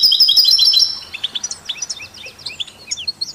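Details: Brief European goldfinch song, kept with canaries and mules, used to stimulate songbirds: an opening rush of high twittering gives way to spaced, rising chirps and short slurred notes.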